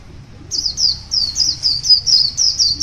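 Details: Wild white-eye morning song, a quick sequence of high, sweet twittering phrases following one another without break after a short quiet start.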